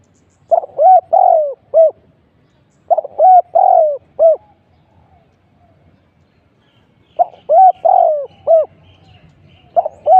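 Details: Cooing of a spotted dove used as a decoy in trapping, delivered in bursts of three or four hooked, mellow notes, then a pause of about three seconds before the next burst. Faint low rumble underneath.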